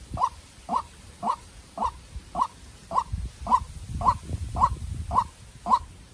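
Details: Captive-raised white-breasted waterhen used as a decoy, fighting a wild bird: a steady series of short, hollow notes repeated about twice a second, with low rumbling handling noise underneath.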